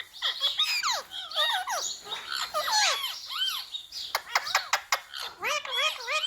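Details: Ringneck parrot, a rose-ringed parakeet kept as a pet, said to talk by repeating the words mummy, papa and mithu; rapid high chattering bursts with squawky, bending, speech-like notes following one another closely for several seconds.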